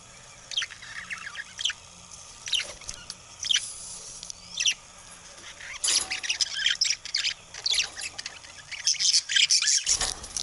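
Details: A rainbow budgerigar chick gives high, scratchy chirps and squawks in irregular bursts.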